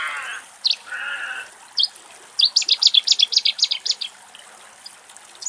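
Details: In Axios Delta National Park, Thessaloniki, Greece, beside a resting little egret colony, a Cetti's warbler sings a sudden, loud burst of about a dozen rapid, explosive chirping notes after a few softer chirps from other birds.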